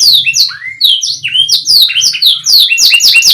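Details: Canary singing loud, fast song: rapid sweeping notes falling from high to mid pitch, repeated in dense runs with a few rising whistled slurs, continuous throughout.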